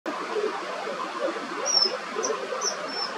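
A common kingfisher gives four short, shrill, high whistles about half a second apart over a steady rushing background like flowing water.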